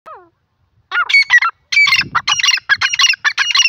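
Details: Grey francolin, also called grey pheasant or titar, giving loud harsh grating calls repeated in a quick rhythmic series after a brief opening note.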